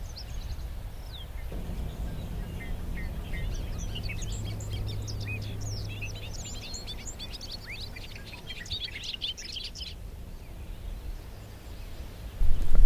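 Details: Bobolinks in hay fields and meadows along Arkola Road, Sax-Zim Bog, on a foggy, hazy morning, 24 May 2020, pour out a bubbly, tumbling jumble of high metallic notes for about eight seconds over a steady low rumble of wind or engine.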